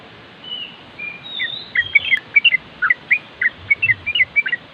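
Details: Yellow-vented Bulbul (trucuk) nropel song heard a little farther off: a faint rising whistle, then a quick series of bright bubbly notes over steady background hiss.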